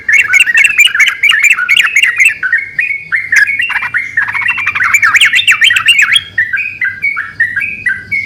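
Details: Several yellow-vented bulbuls in lively song, answering one another: dense overlapping chattering and bubbling whistles, busiest in the first six seconds, then thinning to spaced, clear rising-and-falling notes; a low steady hum runs underneath.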